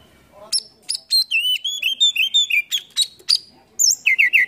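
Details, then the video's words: Oriental magpie-robin with a song full of mimicked fill-in phrases and tail fanned cobra-style: sharp high chips mixed with clear, sliding whistled notes in a rapid, varied sequence. "PANCINGAN KACER ISIAN FULL BUKA EKOR NGOBRA"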